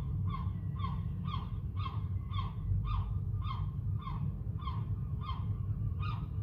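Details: Baby gulls on rooftops in Whitby, newly born and exploring; evenly spaced harsh, nasal calls about every half second for several seconds, set against a persistent low-pitched rumble.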